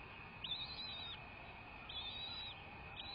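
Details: American bald eagle calling at its nest on a live nest camera, February 2, 2024, 07:19 in the morning; two high, thin, arching whistled notes, faint against a steady background hiss and a constant high tone.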